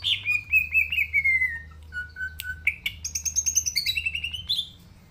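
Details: Green leafbird singing a varied phrase: a falling slurred whistle, a low steady note, then chattering high trills and rapid warbled notes rising toward the end.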